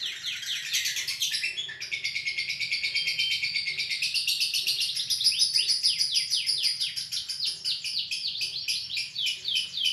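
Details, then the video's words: Long ngekek of a lovebird, recorded live: continuous high-pitched chattering trill built from fast, sharply pulsed notes, growing slightly louder toward the middle and keeping a steady rapid rhythm to the end. "Lovebird Ngekek Panjang Terbaik"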